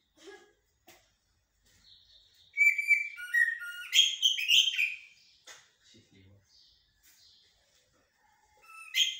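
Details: Common blackbird delivering its blacksmith-like and military-style song: faint scattered notes, then a loud cluster of ringing, stepped whistles and harsher bursts, followed by quiet notes and a final loud phrase at the end.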